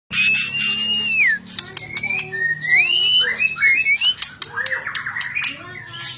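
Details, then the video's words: White-rumped shama song meant to rouse reluctant shamas into singing: long clear whistles sliding up and down, then varied rapid phrases with harsh clicks, over a steady low hum. "suara murai mabok...cocok buat pancing birahi murai batu malas bunyi"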